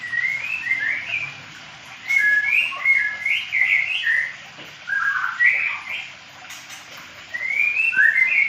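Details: White-rumped shama, Medan type, kept in a small aviary during pairing, delivering bursts of rich, varied whistled phrases with quick rising and falling slurs, each burst lasting a second or two between short gaps.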